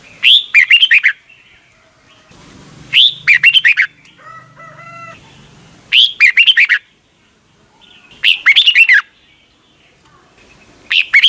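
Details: Red-whiskered bulbul song played in Thailand for young caged birds to learn each morning; five quick phrases of a rising whistle and falling note run, with a faint repeated nasal call and soft rustling between.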